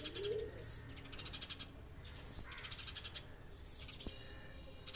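House sparrows chatter in harsh, high chirps that come in bursts about every second or so, with faint low background rumble.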